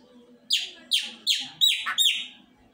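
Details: Chopi blackbird song of five or six sharp, bright chip-like notes delivered about every half second, each a quick descending burst, the last two run together, over a faint low indoor hum.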